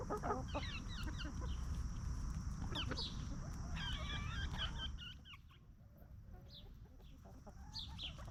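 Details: Free-range hens roaming, scratching in dirt and snacking, clucking peacefully in a backyard farm yard; a flurry of short repeated clucks and higher trills, with faint wind-like background rumble and a quieter stretch near the end.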